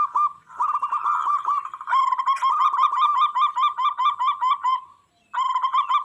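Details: Vigorous song of a local zebra dove, said to draw wild doves into calling back and fighting: a long unbroken run of quick, bouncing coos with a bright overtone, then a short gap and a fresh burst.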